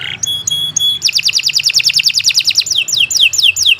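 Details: Canary master song for training: a few short clear whistled notes, then a rapid even trill of bright pulses changing into slurred falling notes, over a faint low hum.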